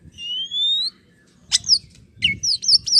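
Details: Oriental magpie-robin song played to provoke a response from a slow-to-warm-up bird: a long rising whistle, then short sharp chirps and descending slurred notes in two bursts.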